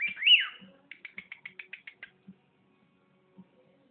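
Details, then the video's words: Indoor pet bird whistles a swooping rise-and-fall phrase, then gives a rapid run of about nine short, sharp clicking notes, ending with faint soft taps in a quiet room. "Regie bird whistling"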